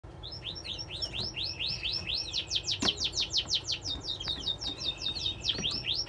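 Newly hatched Linnet mule chicks give a rapid, insistent run of thin, high chirps, about three per second, rising and falling over a soft background hum.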